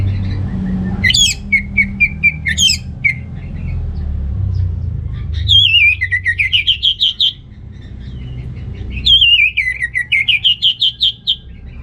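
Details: Orange-headed thrush (Geokichla citrina), song meant to prompt males lacking breeding drive; sharp high notes, then two long warbled phrases of fast rising and falling whistled notes, over a low background hum.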